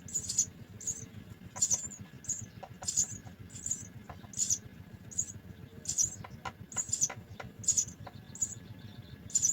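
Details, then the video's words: At a nest, house sparrow chicks being fed give high squeaky chirps in regular bursts about every half second, with faint clicks and a low background hum throughout. "bird house-sparrow birds Feed all baby food"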